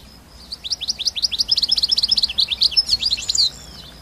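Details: Wild European goldfinch in the wild giving a fast, liquid twittering song: rapid high chirps and trills, some buzzy and slurred, run for about three seconds before stopping abruptly.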